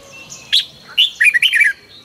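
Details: Red-whiskered bulbul morning song, recorded in 2020 for training bulbuls to sing: a lone sharp note, then a quick run of bright, warbling whistled notes that rise and fall, over a faint steady high hum.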